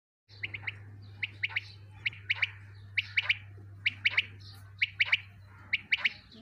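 Quail giving soft, clipped chirps in quick groups of two or three notes, repeated about once a second, over a steady low electrical hum.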